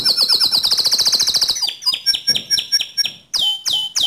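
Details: White canary song opening with a fast buzzy high trill, followed by spaced chirps and a few loud swooping whistled notes.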